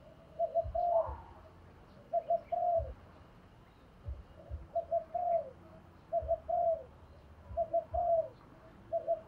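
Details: Spotted dove decoy, thổ đồng voice style, luring wild doves: faint paired low coos repeated about every two seconds over steady background hiss and low rumbling.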